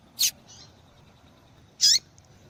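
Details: Female yellow-bellied seedeater calling to warm up a male: two high sharp call notes about one and a half seconds apart, the second with a downward tail, plus a soft faint note.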